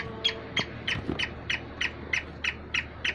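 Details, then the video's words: Black francolin, kala teetar, calling: a fast series of short, harsh notes centred high, repeated about three times a second at a fairly steady pace, with faint low rumbling beneath. "Kala teetar kali teetari ke voice"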